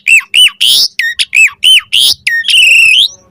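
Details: Asian pied starling singing a fully varied chattering song, a master recording for training caged birds: loud slurred whistles falling in pitch, harsh squawks and buzzy notes, ending in a long, steady, rich whistled tone.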